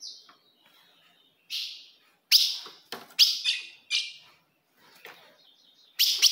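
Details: Ultramarine grosbeak, female call meant to stir a male: scattered bright chips, some paired closely, a few softer notes between, ending with a strong double chip.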